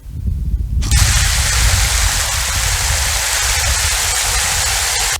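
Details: A rumble gives way to a loud rushing gush of water, with no animal sounds.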